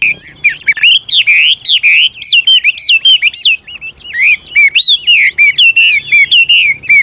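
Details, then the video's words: Old wild Chinese hwamei singing shifting phrases that encourage young birds to start singing; loud, rich whistles with bending, up-and-down notes, repeated in quick bursts through the whole stretch. "Tiếng chim họa mi mồi già rừng hót luyến láy đảo giọng liên tục, giúp kích chim bổi nhanh hót"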